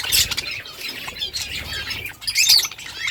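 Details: Budgerigars chattering in short bursts of sharp, high squawks and twittering notes, several birds calling over one another with brief dips between bursts.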